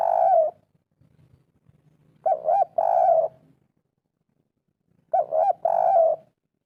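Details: Local wild spotted dove giving the 'kuk 3' coo, played to get lazy birds to answer: deep mellow phrases of two short bubbling notes and a longer falling coo, heard three times roughly every three seconds in quiet.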